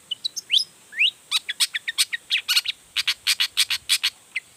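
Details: Long-tailed shrike in full, emotional song that displays its repertoire and stirs other shrikes to reply. A few rising whistled slurs lead into a dense, rapid chatter of sharp high notes.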